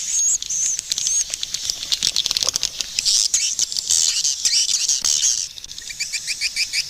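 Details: Swiftlets calling in a crowd: thin high whistles and buzzy twitters over sharp clicks, then a run of quick regular chirps near the end.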